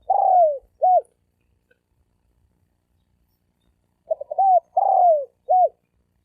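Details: Spotted dove with fast cooing in the 'thổ ồm vang' style. Two phrases are separated by a long silence, each ending with a drawn, throaty, down-sliding coo followed by a short rounded note.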